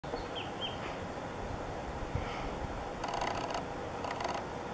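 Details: Darjeeling woodpecker drumming near Gorkhey, Singalila National Park, Himalayas, in May 2017: two short, rapid drum rolls about a second apart, with a few faint high chirps from another bird earlier, over steady background hiss.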